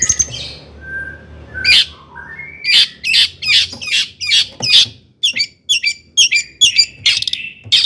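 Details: Long-tailed shrike, song for provoking other shrikes: a soft whistle and rising notes, then a long run of harsh, rasping squawks and sharp chips.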